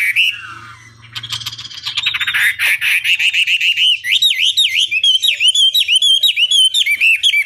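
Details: Chinese hwamei lure song meant to make an opponent reply. A soft whistle and buzzy rattle build into loud, rapid, bouncing whistled notes repeated about twice a second in looping figures.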